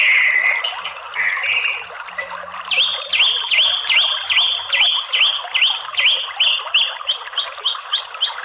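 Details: White-rumped shama lure song meant to make males sing aggressively. A few whistled notes lead into a rapid series of sharp, downward-flicking notes repeated about twice per second.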